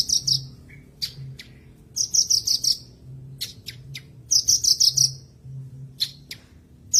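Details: Tutor recording of a Javan bush lark for birds gone silent: bursts of five or six quick, high, rattling notes alternate with single sharp clicks and a brief lower note, over a faint low hum.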